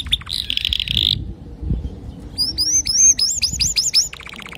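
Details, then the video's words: Male canary singing to teach young canaries: a buzzy rolling trill, a pause, then a fast series of repeated hooked whistled notes ending in quick even chips, over low background rumble. "تغريد ذكر كناري صافي لتعليم صغار الكناري"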